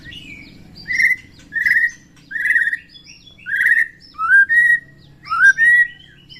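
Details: Morning song of a white-rumped shama, meant to raise other shamas' emotion and fighting spirit: clear mid-pitched whistled notes given about once a second, some sliding upward, over a faint low hum.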